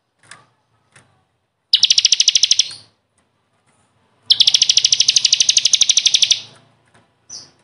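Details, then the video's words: Bar-winged prinia (ciblek kristal) in lively song, used to train caged birds: two long, fast, dry trills of densely repeated high notes, each lasting one to two seconds, separated by silence. "SUARA BURUNG CIKRIS | CIBLEK KRISTAL GACOR BUAT MASTERAN"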